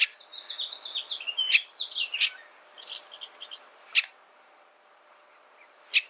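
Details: Bullock's oriole singing a dense phrase of twisting whistled notes with harsher chatter, followed by scattered loud sharp clicks.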